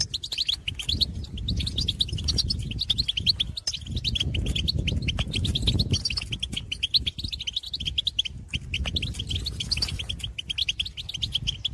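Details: Goldfinch twittering and calls recorded in the field, meant to motivate others of the species to sing: an unbroken stream of fast, sharp high notes over a strong low wind-like rumble.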